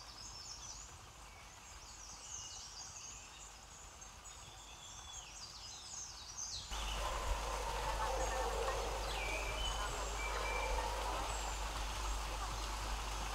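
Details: White-throated laughing thrush chicks at the nest in the Motidhar mountains beg frenziedly as a parent feeds them, giving thin, high squeals in rapid bursts; then a steady broad rush of noise with a low rumble swamps the calls.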